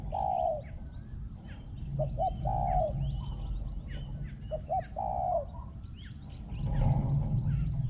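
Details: Ground decoy Spotted dove, noted for a small ringing voice and very good cooing. Two phrases of quick short coos each end in a longer mellow note. Other birds chirp and a low rumble builds near the end.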